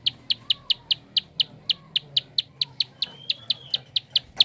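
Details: Prinia giving a rapid series of sharp clicking calls used to stimulate other birds to sing: short dry ticks near four kilohertz repeated about four to five times per second, with a faint thin whistle in the background.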